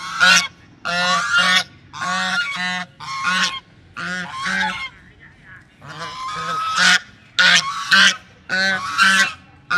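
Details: Loud, nasal honking from a pair of ducks reacting to an approaching person, delivered in paired or triple bursts roughly every second with brief pauses between.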